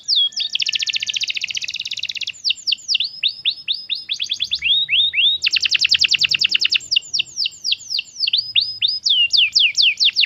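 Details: Canary song used as a training track to prompt caged canaries to sing: rapid trills of repeated notes alternate with runs of descending whistled slurs, tours changing every second or two, high-pitched and continuous.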